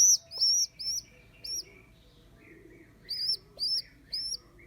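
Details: Abandoned baby rock pigeon rescued from a roof, second day in care, gives piercing arched squeaks in quick bursts of three or four, separated by a quiet gap of about a second and a half.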